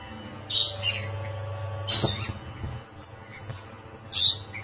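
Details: Caged rainbow lorikeets mating; three sharp, grating high-pitched squawks about one to two seconds apart, with a constant low droning hum behind them.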